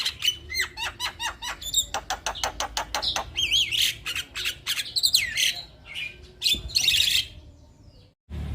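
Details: Lively gacor song of a male Black-winged starling, said to get all birds singing: a fast run of repeated hooked whistles and sharp ticks, then harsh scratchy bursts and wavering whistles, ending in a brief pause.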